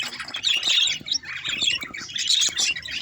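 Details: Short burst of budgerigar squawks and chirps in two loud waves separated by a brief lull, with soft fluttering below.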